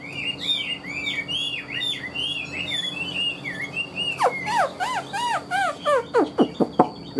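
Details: Pet Chinese hwamei delivering a string of short rising whistled notes, then loud descending swooping whistles repeated several times toward the end.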